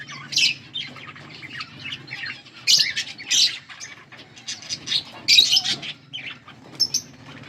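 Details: Pet budgies chirping in short, spaced bursts of squeaky, buzzy notes, a few loud clusters rising above softer chatter, with a low hum underneath.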